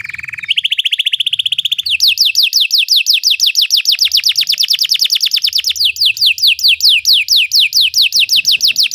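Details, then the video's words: Belgian canary song used to make other canaries sing: a short buzzy roll, then a long, loud series of rapid descending sweeps continuing steadily to the end. "Belgian canary singing makes your canary sing"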